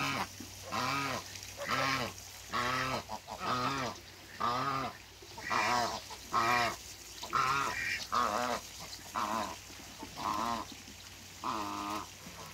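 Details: Honks from a pair of African geese meeting on a farm: loud, nasal, harmonic calls repeated roughly once a second in a steady series for about twelve seconds, with a low background hum.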